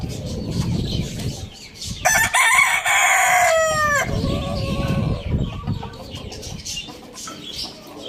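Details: Rooster crowing in the morning in a farm village: one loud, strained crow of about two seconds with bright harmonics, falling in pitch at the end. Scattered clucks and low rumbling background noise are heard before and after it.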